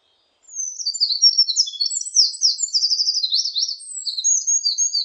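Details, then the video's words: A Eurasian wren, recorded in 2020, delivers an explosive high song of fast trills, zigzag notes and a rattling run of repeated elements lasting several seconds, clean with no other sounds. "굴뚝새, 여러번 듣기, 곤충소리, 새소리"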